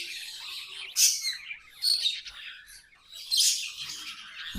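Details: Budgerigars kept as pets chatter in high, scratchy squawks and chirps, three loud bursts about a second apart over a busy, twittering background.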